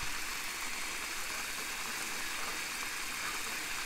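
Steady rushing hiss like flowing water or a stream, with no animal voices heard.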